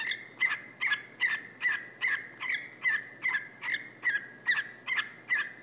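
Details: A male whiteface/lutino pet cockatiel preens and climbs down a couch to "bark" at a person's foot. He gives a steady run of short, harsh chirps, about two or three each second, each with a slight downward inflection.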